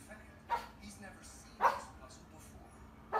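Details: Female cockatoo watching a nature show on TV gives three short, hoarse, dog-like barks about a second apart over faint room noise and a low background murmur.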